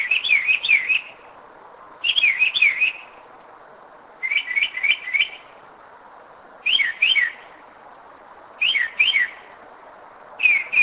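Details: Night song of a Northern mockingbird at 2am, Kennesaw, Georgia, 2011. Short phrases of quick sliding whistled notes, each phrase given in a group of three or four, with pauses of about a second between groups and a constant thin high hum behind.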